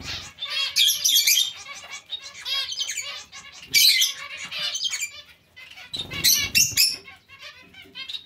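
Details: Busy colony of zebra finches, fast overlapping nasal tet-tet calls at roughly four per second, bright and high-pitched, rising into louder group bursts with a little wing noise.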